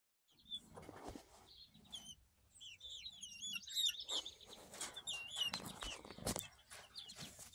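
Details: Two young chicks of unknown breed, hatched in May 2023 and recorded in July 2023, give high, thin peeps that slide downward, repeated in quick irregular runs between soft knocks and rustling clicks.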